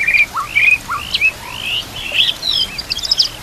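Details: Song of the white-rumped shama (murai batu), meant for training other murai birds, set against nature sounds and trickling water: clear whistled upsweeps alternating with lower short notes, then a cluster of high thin twitters.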